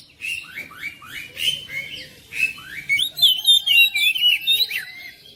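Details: Oriental magpie-robin (kacer) song used at home to coax a reluctant bird into singing: a run of falling whistled phrases, then a faster, brighter jumble of high twittering notes.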